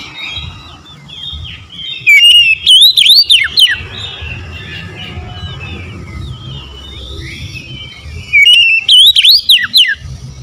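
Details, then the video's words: Oriental magpie-robin in konslet style, pouring out isian fill-in: two loud bursts of rapid looping whistles about six seconds apart, with softer background birdsong and scratchy chirps filling the gaps. "PASTI LANGSUNG RESPON SEKETIKA KONSLET BONGKAR ISI4N"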